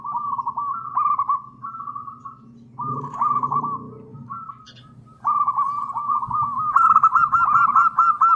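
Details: Energetic local zebra dove with a long-phrase song used to trigger answering song in other doves. Rolling, trilled coos come in repeated phrases, broken by a short quieter patch and a low background rumble, then a sustained, louder run of notes.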